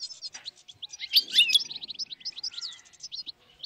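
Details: Dozens of wild European goldfinches (Carduelis carduelis) in northern Morocco, 2022, chattering together in a dense overlapping mix of bright liquid twitters and tinkling trills, with a louder burst of calls in the middle.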